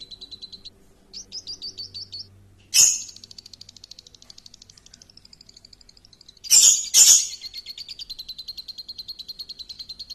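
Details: Lure song of a champion lovebird. A quick high chirping trill comes in short runs, then continues long and steady. Three loud harsh shrieking bursts cut in partway through.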